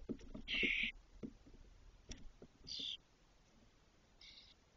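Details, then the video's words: Six feathered Spotless starling chicks at their nest in a cork oak, Doñana National Park, 2023, around the first fledging; three short, harsh hissing bursts spaced about two seconds apart over faint tapping. "¡VOLÓ EL PRIMERO! - Estornino negro Sturnus unicolor - Spotless starling"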